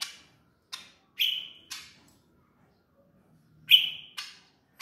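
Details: Bar-winged prinia, tame bird at Kotaraja, Jayapura, giving sharp, high chips and a bright sustained whistled note, the phrase heard twice in quick succession; otherwise quiet.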